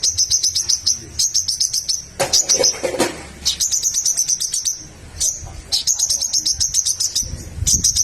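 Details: Little spiderhunter chattering loudly, to goad rival birds into song. Bursts of fast, piercing chip notes repeat again and again, broken by a couple of brief scraping noises.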